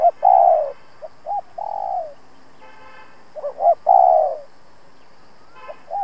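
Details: Decoy spotted dove used in trapping gives an insistent rival-challenging coo: drawn-out descending coos alternate with brief paired upslurred notes, repeated over several seconds with faint background hiss.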